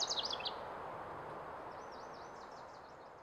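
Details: House wren song: a quick burst of bright, bubbly high notes tumbling downward in the first half second, then a fainter, rapid chattering trill of repeated high notes later on, over a steady soft background hiss.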